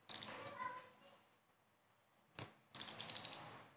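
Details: Konin sunbird besetan, a lure song for captive birds: a short high chipping trill, a long silence with one faint tick, then a quick run of about eight bright, very high chips.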